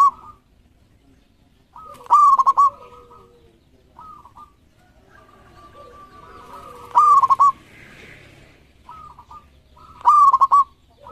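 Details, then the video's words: Thirteen local zebra doves singing as a lure: three loud mellow phrases of a held coo broken into rapid pulses, separated by softer answering coos, with a brief soft rustle in the background. "Perkutut Lokal Gacor Ekor 13"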